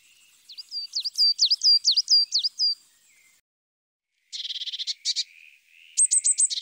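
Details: Coal tit, a forest bird of Russia, sings a quick run of high, thin, bouncing notes, then a short buzzy burst and, after a pause, four sharp high notes.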